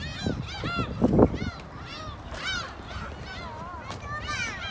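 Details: A flock of gulls in Korea keeps up a chorus of curved, squealing cries, one bird after another with no pause, while low bursts of noise sound underneath.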